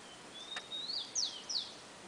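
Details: Rufous-collared sparrow song in a garden: a long, thin, level whistle rises slightly, then gives way to two sharp, bright, downward-slurred notes. A soft click sounds near the start.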